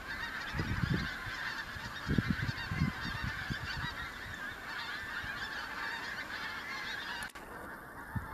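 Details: First autumn migrant Pink-footed geese arriving in the Kelvin Valley, North Glasgow, on 25 September 2021: a dense chorus of many honking, yelping calls layered together, with low thumps and rumbles in the foreground.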